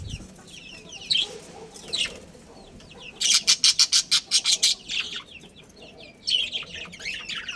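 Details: Budgerigars of a breeding pair's family give scattered high chirps, then a fast run of about eight sharp, clicking notes. Warbled chatter resumes afterwards.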